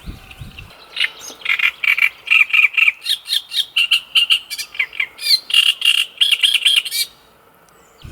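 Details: An elusive Great Reed Warbler by a lake in Italy, hopping into a nearby alder tree, sings a loud, harsh, jarring run of repeated grating notes, each phrase doubled or tripled, rapid and jerky, for about six seconds.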